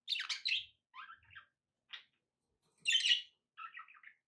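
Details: Pet budgerigars, several birds, calling indoors: sharp squeaky chirps, short warbling phrases and a lone high tweet separated by short silences, with one louder buzzy chatter burst near the end.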